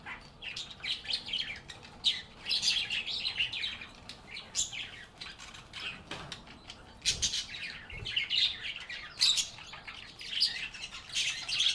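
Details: Several happy budgies singing and chatting in a calm environment: a continuous flock chatter of high, scratchy warbles and sharp chirps, rising and falling in intensity, with a few faint clinking knocks underneath.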